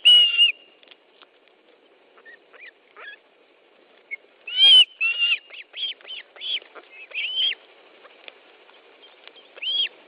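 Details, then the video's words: Osprey nest in Estonia, 10 July 2013 at 13.20, during fish delivery: scattered whistled calls, a loud clear note at the start and a busier cluster of shorter rising-falling piping notes midway, with softer clicks between. "Osprey nest, Estonia 10th July 2013 13.20 Fish delivery"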